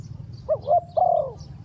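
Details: Spotted dove cooing in a fast style, played as a decoy for bird trapping: one short phrase of three low, hollow coos, the last drawn out and falling, over a steady low hum.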